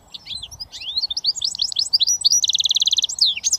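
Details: Switty song of a goldfinch mule, British finch hybrid: varied high chirps and rising slurs tumble quickly, then a rapid steady trill of repeated notes, closing with a few sharp sweeps.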